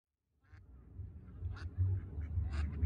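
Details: Two female mallards with their ducklings, adults behaving as a pair: three short, harsh quacks spaced about one second apart, rising in loudness, over a steady low rumble of wind.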